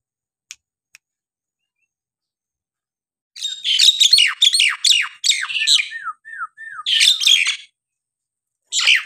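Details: Nias hill myna in full song, used to stir lazy or quiet mynas into calling: loud bursts of harsh chattering notes, then a run of five clear, falling whistles, and more rasping chatter after a pause.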